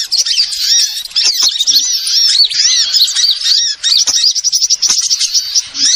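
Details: Small birds heard in a lure recording used for trapping: energetic high chirping and twittering, densely layered, ending in a quick series of clipped, stuttering chips.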